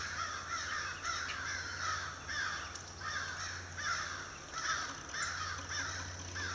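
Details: Loud cawing from a gathering of crows by a cedar tree in February 2012, rough nasal caws repeated in uneven runs about once a second, calls overlapping, over constant low-pitched rumble.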